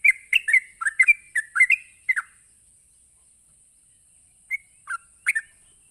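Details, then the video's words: Sooty-headed bulbul in 'ropelan' style, a quick song meant to excite rival bulbuls: a rapid burst of liquid whistled notes for about two seconds, then silence broken by three short separate phrases, with a thin constant high tone behind. "Pancing Trucuk apapun bakal Nyaut ngropel Emosi dengan suara Ropelan Trucuk ini"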